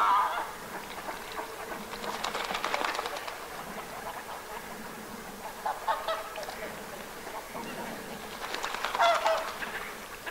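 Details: Northern pintail in winter, 24 January 2022, Aiguamolls Natural Park, Spain: harsh, rasping duck notes in three bursts a few seconds apart, with a few clearer, higher whistled notes mixed in.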